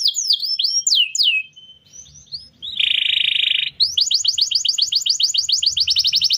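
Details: Canary song used as a tutor for other birds: sweeping high whistled slurs, a buzzy rattle, then a long fast trill of rising chips repeated several times a second.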